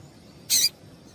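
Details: Single brief, bright, high-pitched chip from a female yellow-bellied seedeater, a call meant to get males singing; a faint steady high tone runs underneath against a low hiss.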